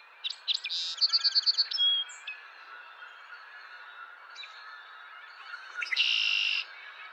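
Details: Male song sparrow song recorded April 10, 2023: a few sharp introductory notes, then a bright, even trill of about seven clear repeated notes, a closing flourish, and later a loud buzzy burst over faint background birds.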